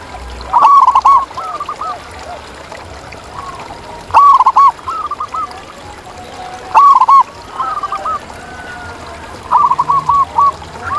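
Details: Wild local zebra dove singing strongly: rapid rolling coo bursts about every three seconds, each followed by softer trailing coos, with other doves calling faintly in the background.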